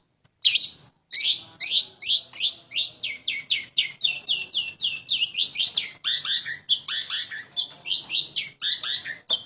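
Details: Long-tailed shrike kept at home, in full song: a steady, almost unbroken run of sharp, scratchy high notes repeated quickly, some phrases dipping slightly lower in pitch toward the end.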